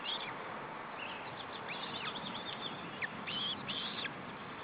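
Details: Female osprey feeding her three chicks in June 2012: a series of high whistled, arched chirps, some in quick pairs and clusters, given over steady background hiss.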